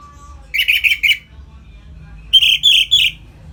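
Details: Ngeplong-style song of an Orange-headed thrush, played to stir birds into breeding condition: two short groups of three or four bright, buzzy high notes about two seconds apart over a soft background rumble.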